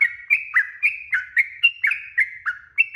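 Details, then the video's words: Rapid song of a sooty-headed bulbul, a lure to provoke other birds to respond: about eleven warbled notes in quick succession, rich and bubbly, each swooping up or down, delivered in a continuous stream. "KICAU TRUCUK ‼️TRUCUKAN GACOR ROPEL PANJANG🛑 Pancingan Burung Trucuk Bahan Cepat NYAUT"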